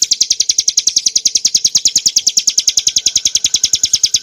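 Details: A prinia identified as the mountain Ciblek (Prinia familiaris montana), though listed as Hill prinia, gives a fast, steady, unbroken run of sharp, high chipping notes, about eight or nine each second.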